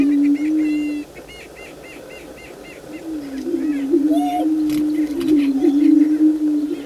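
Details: Greater prairie chickens displaying on the booming ground before daylight: a short series of quick chirps opens, then the low, droning, wavering boom resumes and swells toward the end, with occasional higher squeals.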